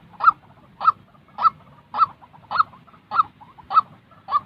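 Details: Real white-breasted waterhen call for training fresh-molted decoy birds: a run of eight loud, clipped notes spaced roughly half a second apart, evenly paced.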